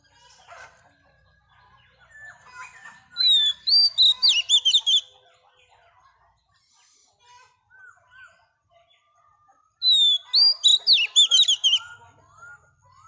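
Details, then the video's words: Oriental magpie-robin, a wild-caught female singing to stimulate males, gives two loud phrases. Each has a sustained whistle and then rapid, chattering, up-and-down notes, with quieter scattered chirps and whistles from other birds in between. "Choè than mái bổi lên giọng hót kích trống"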